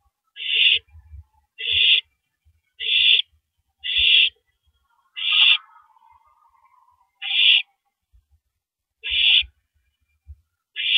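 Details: An owl works on a big rabbit at 3:33 AM, April 9, 2012; eight harsh, wheezy screeches at irregular intervals, with a faint low murmur after the fifth and soft thumps throughout.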